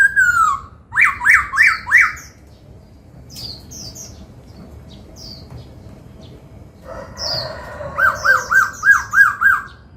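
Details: Trained laughingthrush singing the 'bắt cô trói cột' phrase, dancing as it sings: a falling whistle, a quick run of four arched notes, a quiet pause with faint high chips, then about six looping whistles.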